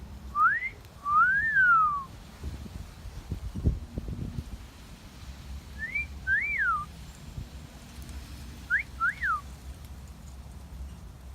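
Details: Pet parrot in a garden giving three wolf whistles, each a short rising whistle followed by a longer rise-and-fall, spaced a few seconds apart over low background rumble.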